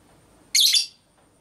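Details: Lovebird hen giving the ngekek, konslet minor type, recorded to stir other lovebirds into calling: a single shrill, grating burst of about a third of a second over a quiet background.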